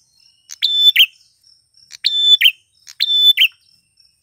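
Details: Male grey prinia song used as a lure recording to attract wild females: three identical high phrases, each a sharp click, a held flat whistle, then a short buzzy falling note, about one second apart in clean silence.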